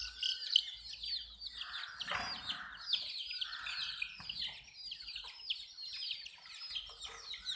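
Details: Domestic desi chicks chirp while drinking water, a crowded chorus of piping descending cheeps with one loud peep at the start and a brief rough noise near the second mark.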